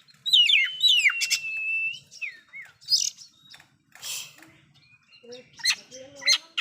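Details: Oriental magpie-robin in loud song with fill-in phrases that rile other magpie-robins: a hooked whistle sliding into a long steady whistled tone, then scattered buzzy notes, a noisy rasp and soft low whistles.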